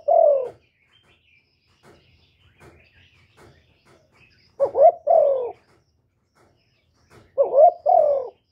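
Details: Spotted dove cooing: one long mellow coo, then a stretch of faint soft chirps and ticks, followed by two louder paired phrases of a quick upward hoot and a longer sinking coo.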